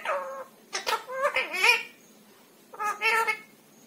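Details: Pet ringneck parakeet talking indoors: short harmonic speech-like phrases near one second, then a quieter gap and another burst of mimicked words near three seconds.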